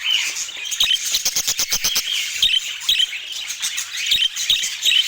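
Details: Budgerigars twitter among a run of fast, dry clicks repeated about twice per second, with high chirps scattered over the top.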